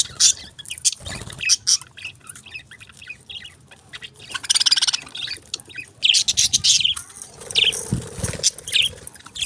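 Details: Budgerigars chirping: bursts of high, scratchy chirps and squawks, some clustered in quick runs, with gaps of softer chatter and clicking noises between calls.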